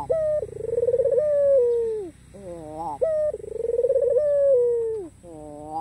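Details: Black-collared white ringneck dove cooing to provoke rivals into calling: two full phrases, each a clear note, a quavering trill and a drawn-out falling coo, separated by soft rising harmonic notes.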